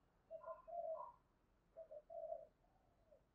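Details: Faraway spotted dove in the 'thổ' style, cooing 'thúc gù' as a lure. Two soft phrases of low, hollow coos, each a couple of short notes then a longer one, over steady background hiss.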